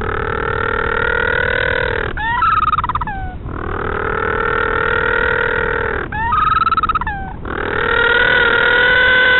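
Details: Noisy little blue penguins close to a northern royal albatross nest at the colony at Pukekura/Taiaroa Head near Dunedin, New Zealand, 2016. Loud, drawn-out harmonic braying alternates with short, stuttering, rising gasps, about every four seconds.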